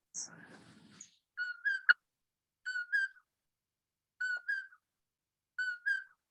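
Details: Common poorwill (Phalaenoptilus nuttallii) calling at night in spring on a chaparral hillside in Catalina State Park, Arizona: a soft, whistled two-note "poor-will" about every one and a half seconds, after a brief burst of voices and noise.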